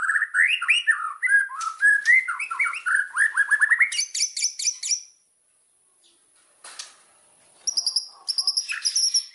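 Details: White-rumped shama from Indonesia, a lure song meant to set other shamas singing: rapid varied run of rich whistled phrases jumping up and down, then thin high notes and a pause, followed by a burst of sharp repeated high chips.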